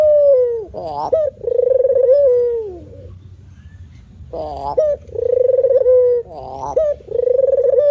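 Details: Male spotted dove in manggung song: two pairs of phrases, each a wavering rising note and a long, steady, falling coo, separated by a quiet pause of about two seconds.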